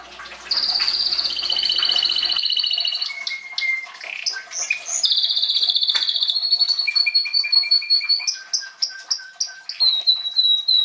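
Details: Singing canary with a varied song of steady whistled tones at shifting pitches, rapid buzzy trills and brief chirps strung together without pause.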